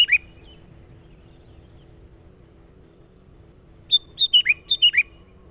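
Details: Sooty-headed bulbul song used as a lure for wild birds: a brief whistled note at the start, then after a long quiet gap a quick run of six bright, falling whistled notes near the end over low background hum.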